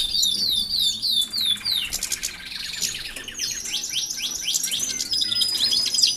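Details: European goldfinches sharing an aviary with canaries before pairing. Opens with a run of clear repeated downslurred whistles, then rapid buzzy trills and twittering, with several birds calling together.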